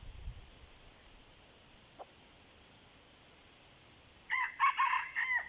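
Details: Red junglefowl in the wild, replying to a decoy. After about four seconds of near silence with faint hiss, a rough, multi-part crow breaks in, uneven bursts running to the end.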